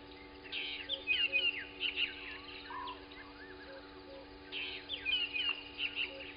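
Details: A spurfowl with an egg at a roadside by Gowrie dam waterhole, Djuma Game Reserve, Sabi Sand, South Africa, at 03:59 on 22 October 2020, gives two bursts of harsh, grating notes, each about two seconds, over a low electrical hum.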